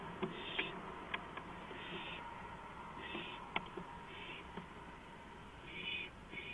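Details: Night owl on a porch, April 5, 2015, just after 2 AM; soft, breathy hisses recur every second or so amid small taps and clicks, with a steady low hum behind.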